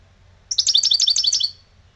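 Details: Old European goldfinch singing in the lebrijano style: one rapid, buzzy trill of evenly repeated high notes lasting about a second, set against quiet background.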